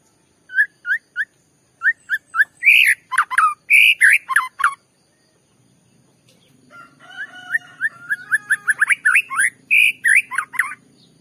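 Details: White-rumped shama song played to provoke a rival shama: spaced rising whistles, then loud varied slurred phrases, a quiet pause with low background hum, and a second run of quick repeated whistles and rich phrases.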